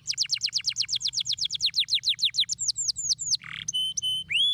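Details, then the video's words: Canary song meant to stimulate other canaries: a rapid rattle of steeply falling whistles, slowing into longer notes, a brief harsh buzz, then clean level tones and a rising whistle. "Muito poderoso para estimular o som! superando o chilrear dos canários preguiçosos"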